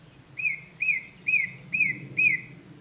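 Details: Song thrush in song along the Avenue at WWT Caerlaverock, a wildlife reserve: five clear, slightly downslurred whistled notes repeated at an even rhythm, roughly two per second, over quiet background.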